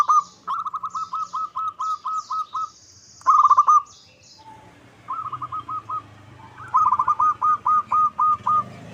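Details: Local perkutut, or zebra dove, lure song to provoke another bird into calling back: several long phrases of evenly spaced, looping cooed notes, up to nine in a row, with short pauses between phrases and quiet background hiss.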